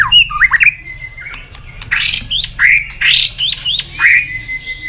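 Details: White-rumped shama giving competitive song with tạch calls and tail flicking: opening slurred whistles and a held thin note, then a regular string of harsh, rasping bursts roughly every half second.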